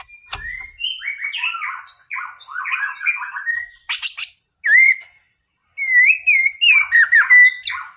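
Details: White-rumped shama song, used to stir aggression in a rival bird: a fast medley of varied chirps, buzzy notes and slurred whistles. Brief pauses lead into loud, looping, clear whistled phrases.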